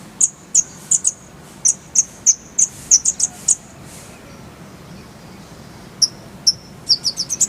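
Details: Brown-throated sunbird in masteran tutor song with rolling 'tembakan' phrases: very high, thin, sharp chips given singly at irregular intervals, then a quickening run of bright high notes at the end.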